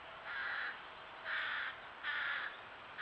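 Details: American Crows with their offspring, noisy calls to be fed at a pond in June 2023, captured by a trail camera: three harsh, nasal caws about one second apart against a steady background hiss.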